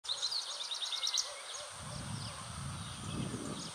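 A Grey-breasted prinia gives a quick run of about ten thin, high, chipping notes lasting just over a second, followed by low wind rumble.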